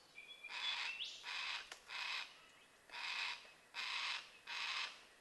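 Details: Yellow-tailed black cockatoos in Mulgum Creek valley, Northern NSW, October 2020, a place they frequent and roost near; harsh, noisy screeching bursts, each about half a second, repeated six times in five seconds with short pauses between.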